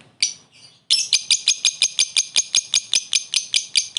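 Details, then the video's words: Short laughing ngekek of a lovebird calling a rival as a lure. Two hoarse opening chirps, then an unbroken run of sharp, piercing notes repeated nearly three times a second. "Suara burung lovebird memanggil lawan + ngekek pendek mantap buat pancingan"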